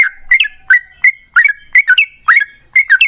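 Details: Yellow-vented bulbul giving its long rapid song as a lure for other bulbuls: rich liquid notes, often paired, swooping up and down in quick, uneven phrases.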